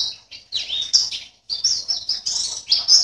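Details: Caged white-eye, contest participant 16 from Sambas, West Kalimantan: a burst of high chirps, a short silence, then dense, bright twittering with sliding notes.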